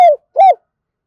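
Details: Decoy spotted dove kept to lure wild birds, singing in the thổ pha thúc voice: two short, rounded coos, the second slightly rising then falling, clean with no other sounds.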